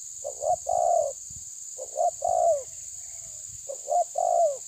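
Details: Spotted dove of the tabir type pressing an opponent, repeating three phrases of clipped notes followed by a long falling coo, with some low rumbling and steady high hiss.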